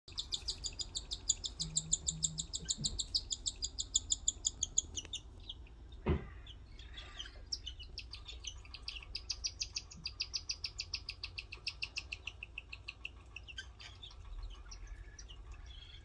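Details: Orphaned young cockatiels give fast, high, raspy chirps in a steady chatter as they are hand-fed by their caretaker.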